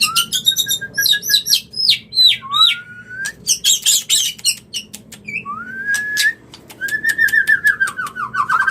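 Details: White-rumped shama mating call, used to bring a bird into breeding condition: clear whistled phrases, rising slurs and long sliding notes mixed with sharp clicks and buzzy bursts, with pauses between phrases.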